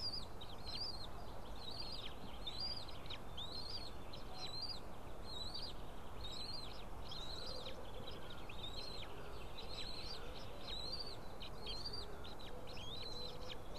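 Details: Nest camera at a White-tailed eagle nest, female feeding three small chicks among a pile of fish, April 2016. A long run of high, thin squeaky notes repeats steadily about once a second over constant background hiss.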